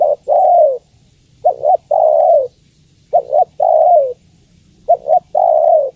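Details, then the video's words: Cooing of a female spotted dove calling the male. Four phrases in steady succession, each a short double note and then a long, low, hoarse coo dropping in pitch, about one phrase every one and a half seconds. "Suara Tekukur Betina Memanggil Jantan"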